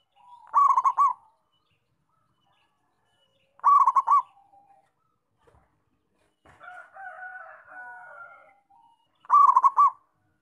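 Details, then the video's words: A local zebra dove sings steadily. Three rolling, bubbling coo phrases come roughly three seconds apart. A softer, drawn-out warbling coo sits between the second and third phrases, and the background is quiet. "Perkutut Lokal Gacor"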